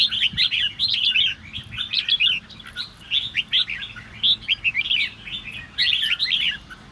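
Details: Provoking song of a red-whiskered bulbul, used to stir other birds into singing: short, lively whistled phrases repeated roughly every second, each a tumbling cluster of rising and falling notes.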